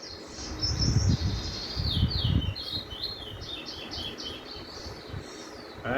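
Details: Lesser Seed Finch song played back, the Venezuelan 'wheat teach-you-wheat' roll from birds found in Trinidad: a fast series of short high whistled notes, some rising and falling, steadily repeated, over low rumbling background noise.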